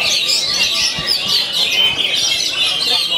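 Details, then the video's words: Oriental magpie-robin (kacer) in constant song: rapid high whistled notes and slurred chirps, about two per second, woven into a dense, unpausing warble. "Kacer Artist, Main Dur Tiap Hari Anti Mbagong"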